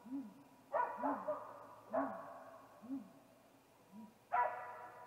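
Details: Male great gray owl at a snag tree nest, 8:45 pm on 21 April 2019, calling before visiting the nest: soft, deep arched hoots repeated about once a second, overlaid by louder harsh wailing bursts.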